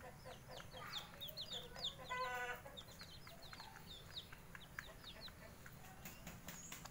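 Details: Bangkok chicken chicks sunning in the morning; dense high, thin peeps sliding downward, tumbling over one another several times a second, with a brief louder harmonic call near the middle, over a steady low hum.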